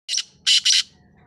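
A black francolin gives three loud, harsh, grating notes: one short note, a pause, then two strong notes close together. The background is quiet.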